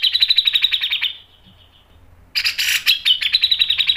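Grey-cheeked Bulbul giving rapid, high chattering phrases around four notes a second, pausing briefly, then resuming with sharp bursts.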